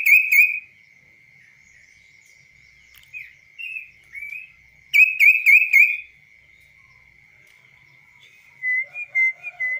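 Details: Tame kaso-kaso bird singing on the hand without a cage: scattered short chirps and slurred notes between a strong burst of four quick buzzy chirps, with a steady high tone running throughout.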